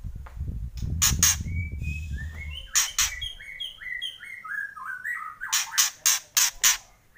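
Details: Kretekan singing from a white-rumped shama. Brief rasping bursts mix with a run of short, clear whistled notes stepping and sliding through mid pitches, ending in a rapid series of five harsh bursts. Low rumbling noise early on.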